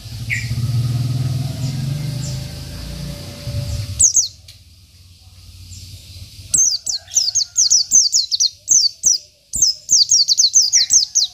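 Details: Oriental white-eye of local stock singing to provoke rivals; after a few seconds of low rumbling background noise, a fast series of sharp, high descending chirps comes in clustered bursts.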